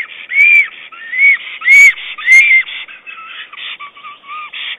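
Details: Black stork calling its mate while tidying its nest of twigs and moss, nest camera, 22 April 2009. Four loud, arched whistles come about every 0.6 seconds, then quieter, lower whistled fragments, with brief clicks of nest movement.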